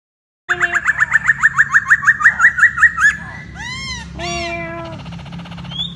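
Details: A caged masked laughingthrush (poksay Hongkong) performs its melodious gacor song and mate-attracting dance: a fast rhythmic run of about fifteen short rising notes, then arched downslurred whistles and a rising final note.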